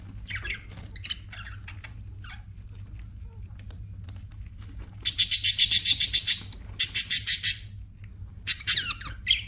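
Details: Pet budgies chirping: scattered short chirps, then two bursts of rapid, evenly pulsed buzzy notes, each run lasting over a second, followed by a few sweeping whistled chirps.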